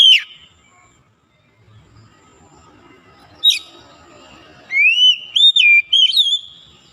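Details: Oriental magpie-robin, being brought from lazy singing back to full voice, gives isolated sharp chips, then a final run of bright, rising whistled notes with twisting slurs.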